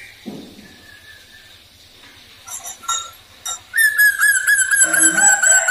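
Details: Black drongo giving lure song to encourage other birds to sing: soft scattered notes and a faint whistle over steady low ticking, then sharp bursts and a loud, long, slightly wavering whistle with harsher notes beneath.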